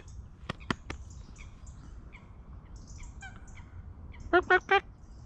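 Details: Common moorhen at a quiet little lake beside the Oise river in France, on a sunny September day. Faint scattered chirps and a few sharp clicks come first, then three loud, short, harsh calls in quick succession near the end.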